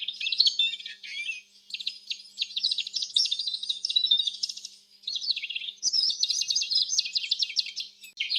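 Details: Canary chirping: dense bursts of rapid trills and warbled twitters, high-pitched, in phrases of about one to two seconds separated by short pauses, with faint clicks in the background.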